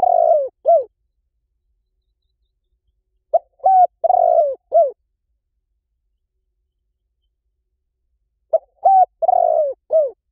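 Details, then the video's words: Decoy recording of a spotted dove for attracting wild doves quickly. Three repeated cooing phrases about four seconds apart, each a short coo, a level hoot, a long rolling burry coo and a falling final note. Otherwise silent. "เสียงนกเขาใหญ่ หมานๆ ต่อเข้าเร็ว ป่าไหนก็เข้า"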